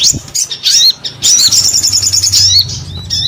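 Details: Short burst of crescent-chested babbler song, fast high twittering notes with a few looping whistles over a low hum.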